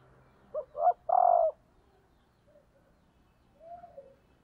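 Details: Decoy female spotted dove cooing to excite males, giving one phrase of two short notes and a drawn-out low coo, followed by a pause and then faint, softer coo notes near the end.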